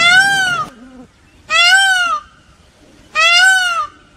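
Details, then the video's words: Peacock calls from an Indian peafowl family: three loud ringing wails of about half a second each, evenly spaced roughly every one and a half seconds, each a bright harmonic cry that arches and falls, with a low grunt after the first. "Peacock calls"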